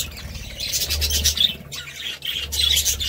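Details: A short burst of budgie warbling and chirping, bright and scratchy, over a low humming drone.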